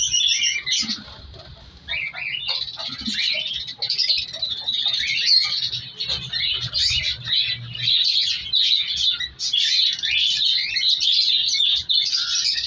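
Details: Captive colony of color African lovebirds, including chicks being moved apart. A few high chirps open, then a busy wall of shrill overlapping squeaks and squawks builds and carries on, with faint low room noise underneath.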